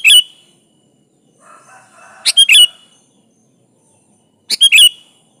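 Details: A sooty-headed bulbul sings energetically, its voice used to call a rival: short punchy phrases of fast bubbly notes repeating about every two seconds, a soft distant warble sounding between them.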